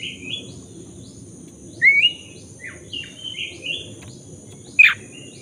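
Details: Black-breasted Oriental magpie-robin in full song, used as a lure to get a stalled bird singing again: varied clear whistled phrases, some sliding and some rising, with scattered brighter notes, over a steady high insect-like hum and low background rumble.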